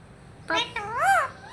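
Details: Pet parrot talking indoors: a brief voice-like utterance of two or three syllables, the last a rising and falling wavering tone.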